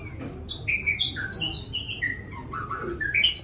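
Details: White-rumped shama in gentle, melodious song: a rich, continuous run of varied clear whistles that swoop down and up in quick succession, with faint low hum beneath.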